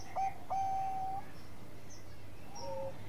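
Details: Bangkok-type zebra dove (perkutut) cooing, a song meant to provoke rivals into calling: two short bursts, each running into a long steady whistled note, then a lower level note near the end, over a faint low hum.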